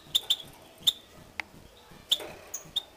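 A European goldfinch gives scattered high, sharp chips and short tinkling notes, about seven in three seconds, against a quiet indoor background.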